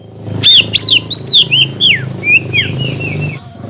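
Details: Lure song of a greater green leafbird, used to excite rival leafbirds into singing: loud downslurred whistles in quick succession, softening into a steady series of shorter whistled notes over a low engine-like hum.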